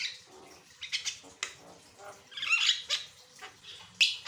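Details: Varied Javan myna song for training and prompting other birds: soft scratchy chatter builds to a loud harsh buzzy burst, ending with a sharp click and a bright squawk.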